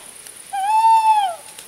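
A male Tawny Owl gives one long, smooth, low hoot lasting almost a second, rising slightly and then falling away. A faint steady hiss runs underneath.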